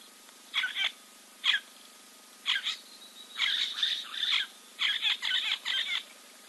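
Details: At a waterhole in Timbavati Game Reserve, Kruger National Park, South Africa, a giant kingfisher preens on a live camera, 04.02.2024; short grating chatter bursts come singly, then in quick clustered series, separated by quiet pauses.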